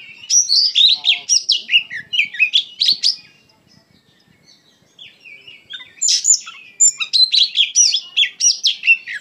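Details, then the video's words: White-rumped shama, a kacer, singing loudly: dense bursts of high whistles, trills and scratchy chatter for three seconds, a brief near-silent pause, then another energetic run of varied sharp notes. "KACER GACOR PENUH EMOSI"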